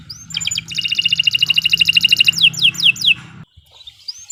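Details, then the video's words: Canary singing a long, fast song meant as a training recording for other birds: a quick high rattle of repeated notes, then slower downward-swept whistles repeated about three times, a brief pause and a short rising whistle; low hum throughout. "Kicau Burung Kenari 132 II LUAR BIASA GACOR PANJANG Cocok untuk Masteran"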